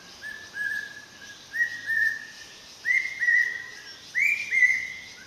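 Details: Dark hawk-cuckoo calling: whistled two-note phrases, each pair slightly higher and louder than the last, repeated roughly every second and a quarter in a building series, over quiet background hiss.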